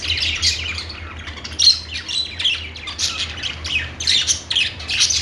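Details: Budgerigars chattering: harsh, squawky chirps mixed with rasping warbles in irregular bursts, one sharper squawk standing out, over a steady low hum.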